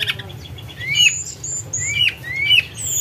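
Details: Tledekan gunung song used for luring: slow, thin rising whistles and high level notes, about one per second, with soft background hiss.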